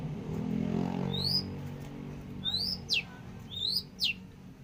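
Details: Described as very active, a long-tailed shrike utters thin rising whistles alternating with quick falling notes in a short burst near the end, after a stretch of low engine-like rumble.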